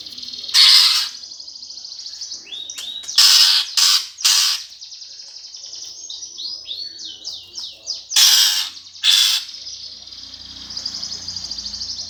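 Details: Greater green leafbird, 'gereja tarung' fighting song for provoking competition birds: sustained high buzzy trill broken by loud harsh rasping blasts and a run of quick slurred whistles.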